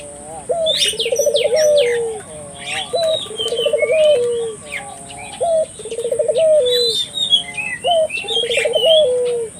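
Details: Puter dove calling as a lure for local doves: four regular phrases of a brief upward note, a rolling trill and a long downward coo, roughly every two seconds, with scattered chirps of other birds and a steady high whine.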